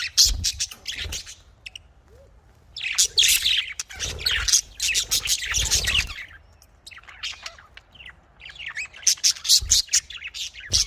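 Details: Caged budgerigars, called Australian parrots, kept for breeding: dense bursts of high chirps and warbled chatter in clusters, pausing between bouts, with low rumbling background noise.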